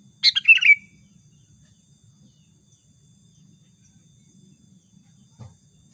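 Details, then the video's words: Single bubbly phrase from a sooty-headed bulbul in a trapping lure recording: rapid jumbled notes ending in a bright downslurred whistle, followed by about five seconds of quiet and one soft knock. "SUARA PIKAT BURUNG KUTILANG GACOR"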